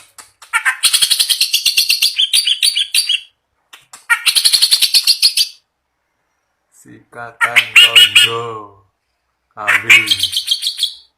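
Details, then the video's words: Clamorous reed warbler, a kept bird singing vigorously, heard day and night: bursts of harsh, rapid chattering notes in rattling runs of about two to three seconds separated by pauses, with some lower, throatier phrases later. "burung kerak basi gacor ngamuk siang malam"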